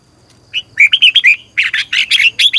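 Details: Red-whiskered bulbul singing in the morning, a lure recording for training caged birds to sing; long double twisting voice style. Bright whistled phrases near 2–4k, a short note then a rapid burst of slurred chirps, pause, and a second run.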